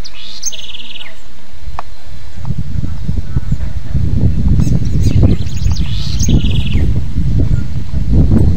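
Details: Cambaxirra or coreca, the house wren, sings two separate phrases several seconds apart: a high slurred note then a fast, slightly descending trill, with a deep rumbling background that grows louder midway.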